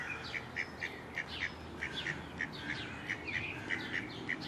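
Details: Mallards calling: a quick run of short, nasal notes repeated a little under twice per second, steady in pitch, with thin chirps of smaller birds and a constant outdoor hiss behind.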